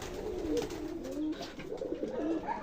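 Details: Domestic pigeons in a loft on a foggy winter morning, calling before being fed late; soft low cooing phrases repeat through the moment, with light background noise.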